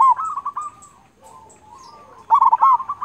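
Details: Zebra dove, a local bird used as a master recording for training other doves: warbling, trilled coos, a quieter stretch of soft cooing, then a louder burst of rolling notes.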